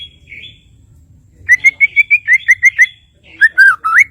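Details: White-rumped shama from Kalimantan singing: a brief high whistle, then a quick run of about ten similar clear notes, followed by deeper, varied slurred whistles.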